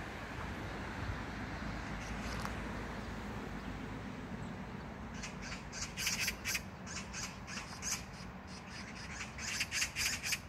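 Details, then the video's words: Low background rumble at an Incheon neighbourhood park, South Korea, on June 19, 2022, then a magpie breaks into harsh rattling chatter about halfway through, rapid scratchy bursts continuing to the end. "magpie sound(까치소리)"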